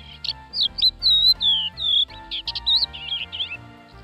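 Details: Crested lark (Galerida cristata), a typical bird of open areas, sings a quick run of clear, fluty whistles, some sliding up and down, in short varied phrases, with faint steady music humming underneath.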